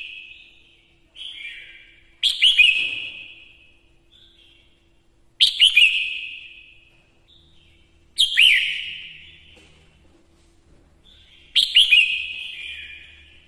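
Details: Female red-whiskered bulbul decoy song for provoking males into song: four strong whistled, warbling phrases about every three seconds, each fading slowly, with short softer notes in the gaps.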